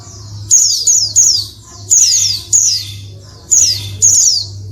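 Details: Female Oriental white-eye calling to spur males to sing: shrill, descending chirps, often doubled, spaced irregularly over a faint low hum.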